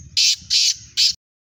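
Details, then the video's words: Black francolin (kala teetar) calling in a contest, three loud, rasping, buzzy notes in quick succession, then silence. "Speeder Kala Teetar Kaly Teetaron ka Muqabla Kala Teetar ki Awaz"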